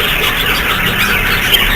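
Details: Chattering budgerigars housed in a bird setup, a busy chorus of high squeaky chirps and warbling notes overlapping continuously, with one brief sharper squeal near the end.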